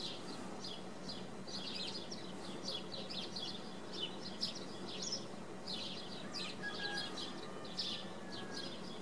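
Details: Swallows at Wicken Fen. Scattered quick, high chirps and twitters come in loose bursts throughout, fairly faint over steady outdoor background noise.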